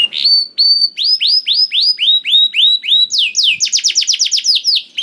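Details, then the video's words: Canary song intended to get other canaries singing; steady repeated whistled notes around four per second, clear and tonal, then a faster cascade of high falling slurs near the end. "DENGAR SUARA KENARI DI JAMIN KENARI NYAUT SEKETIKA"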